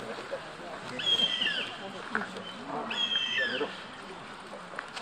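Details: Fledgling northern goshawks in July 2019 squabbling over food on a path beside woods: two long, high, strained screeching calls about two seconds apart over a steady background hum.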